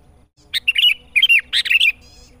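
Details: Sooty-headed bulbul song used as a trapping lure: loud bubbly whistled phrases with quick rising and falling notes in two bursts, over a steady faint high tone.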